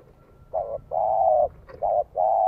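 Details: Spotted dove decoy bird cooing in the 'giọng son' style to lure wild doves: two low, hollow coo phrases, the first short and wavering, the second long and steady, then two more coos after a brief pause.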